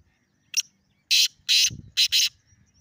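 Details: Calling from the top of a rock, a black francolin delivers a sharp lead note followed by four loud, rasping notes, the last two close together, with a brief low thump in between.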